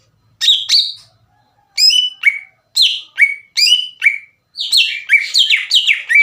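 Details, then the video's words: Leafbird lure song, greater green leafbird: clear, sharp whistled notes that drop in pitch, delivered in pairs, then a fast chattering run of descending slurs near the end. "PANCINGAN CUCAK IJO GACOR CEPAT MENAIKAN EMOSI CUCAK IJO LAIN"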